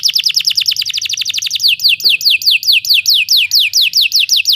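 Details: Belgian canary song used as training for other canaries: rapid descending whistled notes in a fast trill, then slower, evenly spaced downward sweeps about three per second, with a faint low hum beneath.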